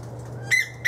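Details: A female koel, in a tree where lorikeets are feeding, with a magpie lark nearby, gives two harsh, grating high-pitched shrieks in quick succession, with a low steady hum underneath.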